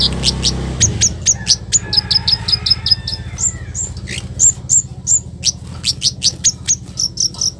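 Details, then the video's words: Harsh 'cit keres' lure call of a scarlet-headed flowerpecker, meant to make other flowerpeckers respond; rapid thin high chips and ticks in uneven series over a steady low hum. "Suara kasaran Kemade baret merah || cabe cabean || cit keres || bikin Kemade lain langsung respon"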